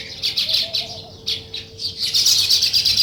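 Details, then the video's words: Sparrows at morning, weaver birds at their nest: rapid pulses of high, scratchy chirps about every quarter second, building into a steady dense twitter, with faint low notes early on. "Sparrow Morning Chirping Sounds"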